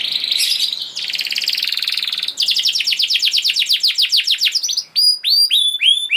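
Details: Lure recording of a canary in continuous gacor song: buzzy rattling trills, a swift roll of repeated notes about four per second, ending in spaced, clear looping whistles.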